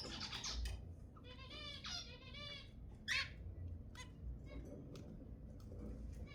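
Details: Zebra finch song played to stimulate mating; nasal, buzzy notes with many stacked harmonics in quick runs through the first three seconds, then a few short sharp clicks and chips over a low background rumble.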